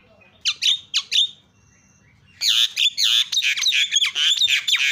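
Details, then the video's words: Javan myna calling to provoke reluctant mynas into sound: four sharp, downward-swept whistles, a pause, then a dense stretch of grating, squawking bursts with wavering notes, loud and continuous to the end. "PALING MANTUL SUARANYA MENGGODA JALAK CEPAT TERIAK"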